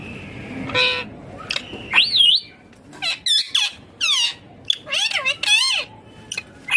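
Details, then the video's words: Rose-ringed parakeet talking: bursts of shrill, word-like syllables with bending, zigzag pitch, mixed with brief squawks and a sharp rising whistle, coming in irregular clusters with short pauses. "Ringneck Green parrot Talking Natural Sounds"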